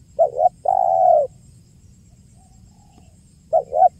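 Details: Spotted dove in the 'kuk 1' calling style, a recording used to lure birds for trapping: a short stuttered double note followed by a long, even coo, then a pause and the next double note beginning.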